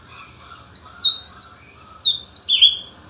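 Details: Olive-backed sunbird, known locally as konin, recorded for song training: a busy run of very high rapid trills alternating with short lower slurred notes, delivered almost continuously with brief gaps.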